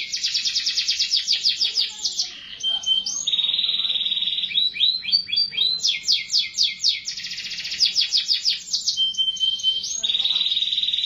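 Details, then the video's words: Continuous canary song switching between rapid rolling trills and long, level whistled tones, each phrase repeated quickly several times per second. "٣٠ دقيقة تغريد مستمر ورائع مهما كان نوع الكناري خاصتك سيبدء بالتغريد"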